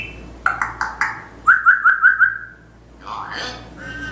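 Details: Captive African grey parrot, described as bold and distinctive, producing a burst of short repeated notes followed by a quick series of five bright whistled chirps, then a rougher rising voiced phrase, in a quiet room.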